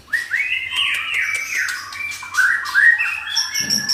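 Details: Moulting white-rumped shama loose in a farm shed sings excitedly, tail pumping: a continuous stream of rich, mellow whistles that slide up and down, layered with thin high notes, ending in a brief low rustle.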